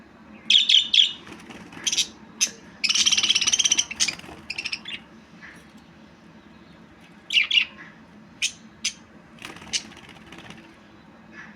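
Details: A budgie gives quick trilled chirps, then a dense, scratchy warble lasting about a second, followed by scattered short chirps and clicks against a faint indoor hum.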